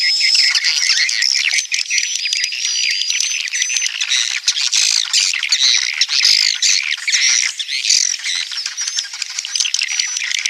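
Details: Swiftlets giving roosting calls: sustained crowded twittering of sharp high chirps, almost without break, overlaid by a faint, steady high pure whistle.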